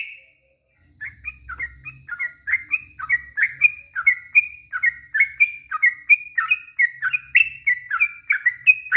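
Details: Yellow-vented bulbul song for provoking another bird to answer; after a short opening note and a pause, a quick string of sweet, bouncing chirps starts and continues, growing louder, about three per second.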